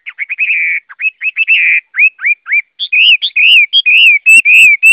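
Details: A Chinese hwamei delivers a fast stream of clear, slurred whistles, many of them upward-curving, in tight repeated phrases that turn louder and more melodious toward the end.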